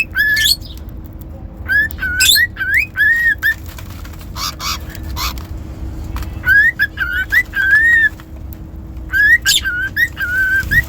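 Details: Cockatiel whistling: bright clear notes that rise and level off, given in quick bursts of several phrases with short pauses between, over a faint steady low hum.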